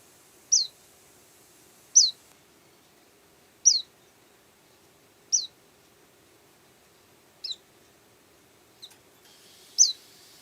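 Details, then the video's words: Active white-eye giving short, very high, sharp single chirps, evenly spaced about every one and a half seconds, with quiet pauses between and a faint steady background hum. "Burung Pleci Kacamata Kuning Putih Suara Aktif"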